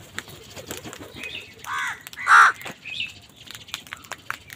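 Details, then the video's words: Crow giving angry calls during a fight with wild birds over food: two harsh, arched caws in the middle, the second louder, with faint chirping of small birds around them. "Wild birds fight with crows for food | Crow bird unity anger and sund | Angry kawa ki awaaz"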